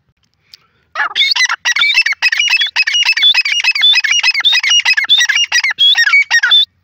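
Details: Grey francolin, called teetar or dakhni teetar: a loud, harsh run of repeated squeaky, high-pitched notes, closely spaced and rising and falling, starting after a second of silence and continuing steadily to the end.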